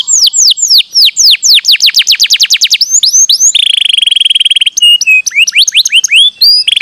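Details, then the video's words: Canary song used to stimulate lazy canaries. Quick rising sweeps speed into a tight trill, followed by a long buzzy rattle on a steady pitch and a few twisting whistled notes. "Sekali putar kenari yang malas bunyi langsung nyaut"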